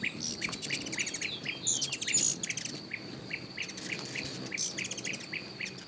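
Berylline hummingbird giving dry, downslurred chips, several each second, over a steady high insect drone with a few thin high squeaks.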